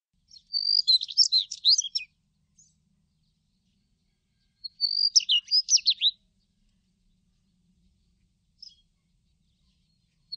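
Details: Daurian redstart singing two short phrases about four seconds apart, each opening with a thin, high steady whistle and breaking into a quick, jumbled twitter of high notes; quiet background otherwise.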